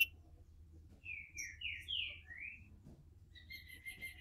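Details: ['Green-winged saltator in captivity in Brazil warming up with a quiet series of five smooth, slurred whistles, followed by a thin, steady whistled note near the end.']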